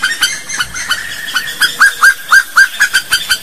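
Slaty-breasted Wood Rail giving a fast series of loud, hoarse, hooked notes, about four a second, growing stronger toward the end.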